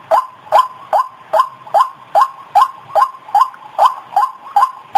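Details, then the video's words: White-breasted waterhen call played as a lure to draw the birds in close: a harsh, nasal note near mid pitch repeated steadily about every 0.4 seconds, each note starting with a short broadband click and no other clear sounds. "Suara pikat Burung Ruak Ruak"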